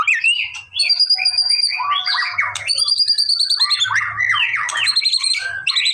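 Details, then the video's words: White-rumped shama, a lively male whose song is used to get a response: sustained high whistles alternating with fast tumbling chatters and squeaky notes, with a faint low hum in the background. "MURAI BATU MALES BUNYI!!! CUMA BUTUH 5 DETIK LANGSUNG RESPON!!!"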